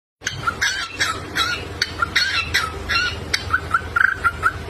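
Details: Dancing pet cockatiel sings a quick run of bright, chirpy notes, two or three each second, ending in short clear whistles over a soft low room hum.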